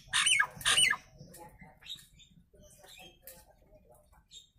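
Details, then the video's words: Nias hill myna tutor recording: two strong, harsh squawks ending in a dropping whistle open the clip, followed by softer scattered chatter and clicks over a quiet background. "Suara Asli Burung jalak nias"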